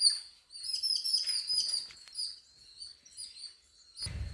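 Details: Birds chirping at home with clear, high, repeated tweets in quick runs, ending in a short burst of low thumping noise.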